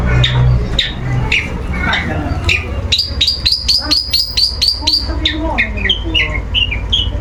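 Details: Long-tailed shrike kept in a cage, set out in the sun as part of its routine, singing without pause: scratchy notes over steady low hum, then a fast string of high ringing chips and softer descending twitters.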